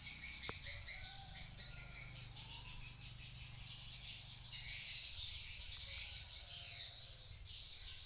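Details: Swiftlets, apparently at a swiftlet house, give dense, overlapping high chirps and twitters throughout, with a thin steady high whine beneath.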